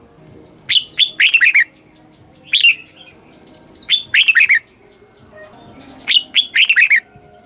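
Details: Red-whiskered bulbul song for exciting caged birds and training young ones, southern master style; repeated phrases of loud, sweet whistled notes with quick warbling slurs, spaced about two seconds apart, plus a few softer high chirps between.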